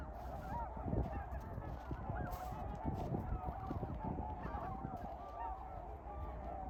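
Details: Flock of trumpeter swans in winter giving a steady chorus of overlapping low, nasal honks, some rising and bending, over a constant low rumble.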